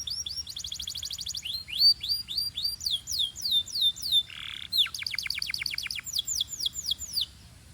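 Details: Belgian canary singing to warm up canaries and fire up females: quick trill, repeated curved whistled notes, a brief buzzy note, then another rapid series of sweeping whistles.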